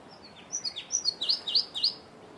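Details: Yellow-throated woodland warbler, a forest bird, sings a thin, high phrase of quick downslurred notes, gathering into a run of sharp, bright repeated notes before stopping.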